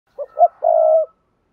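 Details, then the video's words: Spotted dove giving a "thúc gù" style coo, used to train new doves to coo: two short low hoots, then one long, steady, slightly falling coo lasting about half a second, in clean silence. "tiếng chim cu gáy thúc gù"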